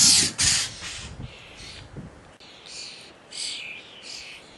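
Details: Common starling chicks at feeding time, giving harsh, hissy begging calls in loud bursts early on, then softer raspy wheezes repeating about every half second, with low thumps and rustling beneath.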